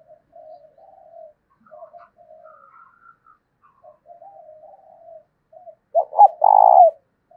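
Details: Spotted dove kept as a lure to provoke rival doves to coo. Many faint, low, soft coos run through the recording, with a few higher whistled notes in the middle, then a loud phrase near the end: two sharp hoots and a long rolling coo.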